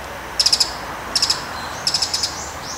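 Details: Bull-headed shrike, among calls including high-pitched calls, alarm, subsong, mimicry and begging. Three bursts of rapid, piercing high chips, four or five notes each, spaced under a second apart.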